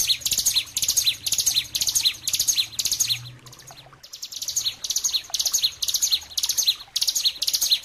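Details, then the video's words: Bar-winged prinia (ciblek gunung) singing energetic bursts of high, sharp chirps, phrases repeated about twice a second, with a softer lull midway before the bursts resume; a training master song for songbirds. "suara masteran ciblek gunung gacor jernih dor dor"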